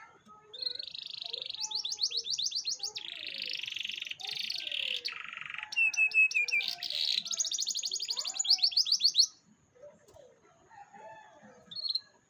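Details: Canary song meant as a lure to get a young canary to start singing, loud and unbroken for about nine seconds. It switches between rapid ticking trills, buzzy rattles and rolling whistled runs, then drops to scattered quiet chirps and one short burst.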